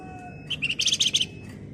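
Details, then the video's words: Brief, lively Flamboyan bird phrase: a few rising chips that speed into a quick cluster of shrill, high notes, matching the described gacor, nyerecet delivery. "Burung Flamboyan Gacor Ngebren Rapat Nyerecet"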